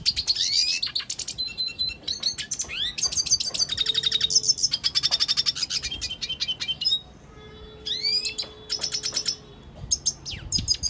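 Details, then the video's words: Energetic song of a Venezuelan goldfinch: dense runs of high, rapid twitters and rattling trills, swept chirps and brief buzzes, with a couple of short gaps, recorded close with little background noise. "Pintassilgo da venezuela cantando muito"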